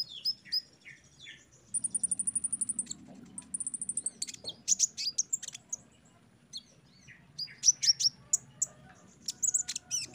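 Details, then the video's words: Sunbird training song used as therapy for untrained, bulk-bought caged birds to make them sing readily. High, sharp chirps and descending notes, then a fast buzzy trill, followed by scattered clicks and bright ticking notes. "TERAPI KONIN BAHAN OMBYOKAN JADI CEPAT GACOR DENGAR KOLIBRI BONGKAR MATERI PASTI NYAUT SEMUA"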